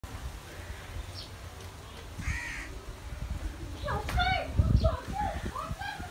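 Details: A talking myna in Sri Lanka mimics speech in hoarse phrases: one short harmonic utterance, then a burst of chattering, wavering syllables over a low background rumble.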